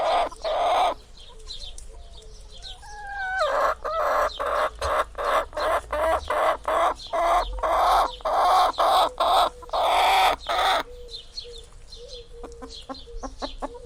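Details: Chicken clucking in a fast, steady run of loud, broad pulses, more than two per second for several seconds, framed by quieter rising notes and scattered soft clucks.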